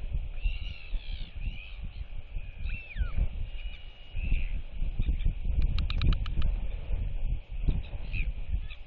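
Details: Royal albatross female displaying beside neighbouring chicks on 8.7.23, whistling as neighbours clack at her. Curved, wavering whistles in the first half, then a burst of rapid bill-clacks, all under strong wind noise.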